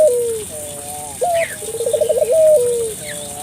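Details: Barbary dove in full, vigorous call, intended to stimulate local doves: soft low coos lead into a sharp rise, a fast rolling tremolo and a long falling tone, over a high hiss.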